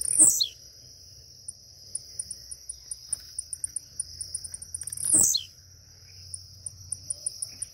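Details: A blue-black grassquit, just waking up, gives two sharp, buzzy, downslurred notes about five seconds apart over a steady high insect whine and faint ticking.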